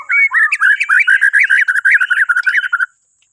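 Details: Borneo white-rumped shama in full song, meant to stir other birds into singing in the morning: a continuous fast string of rich warbling whistled notes, about three seconds long, then silence.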